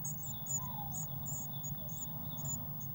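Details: Faint, high twittering chirps at a blue tit nest box, 19 May 2019, recorded in real time beside a waxworm feeder; brief squeaky notes spaced irregularly about every quarter second over an electrical hum.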